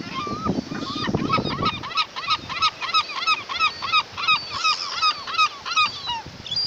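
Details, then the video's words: Seabirds calling at Kołobrzeg on the Polish coast, a rattling, clattering series of short, nasal, rising-falling notes with harmonics, repeated about three times a second in a steady run, preceded by a low rumble of background noise. "Klekotanie ptaków morskich w Kołobrzegu"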